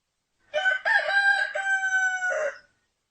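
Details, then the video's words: One full rooster crow, about two seconds long: broken, choppy opening syllables flow into a long, level, strained note that drops into a rough, lower ending. "The sound of cock cock Warble roster sound"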